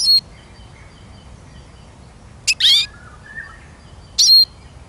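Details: Eurasian siskin uttering three separate high, squeaky notes about two seconds apart, each ending in a thin falling whistle. A faint low whistle from another bird sounds between them.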